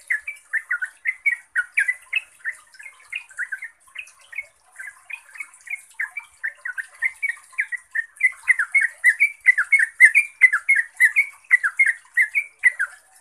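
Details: Yellow-vented bulbul, called trucuk in Java, in sustained fast ropel chatter used to lure other bulbuls into singing back; a long run of bubbly bouncing notes that grows denser and louder toward the end.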